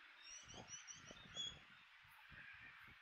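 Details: Small flock of European goldfinches feeding on alder seeds in autumn at Kapiti, New Zealand; thin, high twittering notes overlap continuously, with soft low thumps and rustling beneath.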